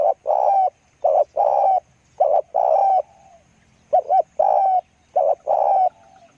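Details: Spotted dove heard close, cooing in about five short-then-long phrase pairs. Each phrase is a clipped hollow coo followed by a drawn-out rolling one, with some trailing softer notes. The background is quiet.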